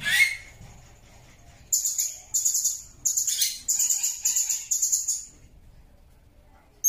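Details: Blue-crowned hanging parrot voice meant for training songbirds. A rising call opens, then after a pause comes a steady series of six shrill, high, buzzy chirps about half a second apart. A final abrupt note follows a long quiet gap.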